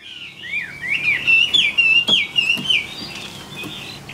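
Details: Chinese hwamei kept as a caged songbird in Vietnam: a continuous flowing warble of slurred whistles, wavering up and down, rising in loudness mid-phrase, with some faint clicks in the background.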